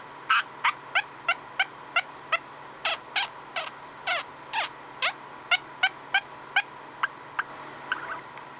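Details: Contented male pet budgerigar making quick clicking and chirping notes repeated at a steady pace, about three per second, short sharp ticks with a few brief warbled touches.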